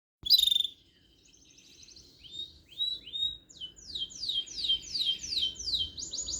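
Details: Canary singing: a sharp high burst, a pause with soft warbles, then a run of rapid descending whistled sweeps repeated about twice a second, ending in a buzzy high trill.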